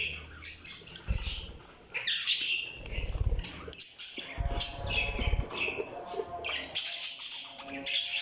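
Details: Budgerigar chirps and squeaky warbling over low thumping and rustling noises, with a faint steady hum underneath.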